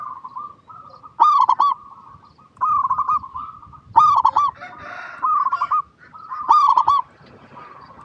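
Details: Local zebra dove in song, recorded to lure other zebra doves into singing: three rolling, bubbling cooing phrases roughly every two and a half seconds, each opening with a sharp accented note, steady soft hum between phrases.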